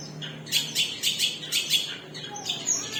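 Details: Long-tailed shrike, caged, split beak, in long-delivery song: a quick series of loud, bright, high chattering notes, about six in a row, followed by thinner whistled phrases.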